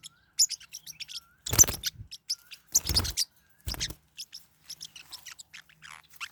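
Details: Forpus parrotlets kept as pets, fighting; thin whistled notes and sparse high chirps broken by three loud scrambles of harsh squeaks and scuffling, then scattered quieter chirping.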